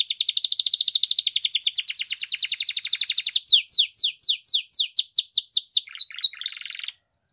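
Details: Belgian canary training song: a fast even trill of high notes, then slower repeated downward-sweeping whistles, a short rattling phrase, then silence.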